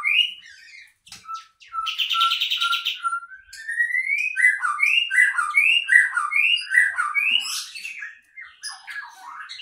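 A bulbul sings a lively run of short, slurred, rising-and-falling whistles, about two or three a second, with a brief buzzy chatter early on.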